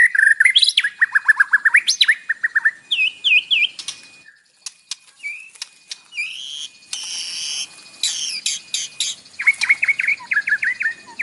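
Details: White-rumped shama song rich in mimicked fill, recorded for morning use to stir a captive bird to sing. Loud falling whistled trills give way to short rising notes, a brief lull, then buzzy bursts and quick chirps.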